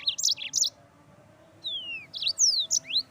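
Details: Yellow-fronted canary song for training birds: short bursts of high chirped notes, then long falling whistled slides and rising sweeps, with pauses between phrases.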